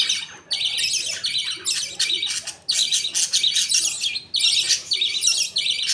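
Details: Pet budgerigar colony feeding, a father budgie feeding two chicks; dense, rough chattering bursts follow each other almost continuously with brief pauses.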